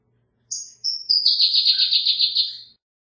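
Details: Pyrrhuloxia, a bird of arid zones of northern Mexico and the southwestern United States, giving two high whistles then a fast rapid trill of about twelve buzzy notes lasting over a second.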